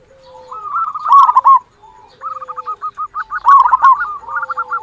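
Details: Local zebra dove used to goad quiet doves into singing: short cooing phrases build into a fast, stuttering, rolling series of trilled notes, with a long thin whistle from another bird underneath.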